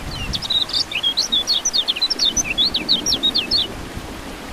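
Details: Lemon-bellied white-eye, locally kecial kuning, chattering in a fast sequence of high, thin notes and short whistled slurs for about three seconds, light rain faintly behind; recording meant to make silent birds sing.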